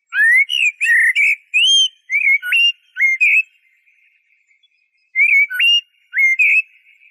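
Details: Eurasian blackbird delivering a dense, flowing sequence of mellow whistled notes, some sliding upward, mixed with high squeaky elements. A short gap is followed by a further three-note fluty phrase. No other sounds are heard.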